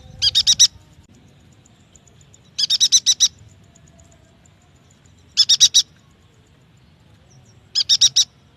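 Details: Yuhina song used as a lure to prompt young, untrained or silent captive birds to sing: four bursts of rapid high chirps, each of four or five notes, spaced roughly two to three seconds apart over a faint low hum.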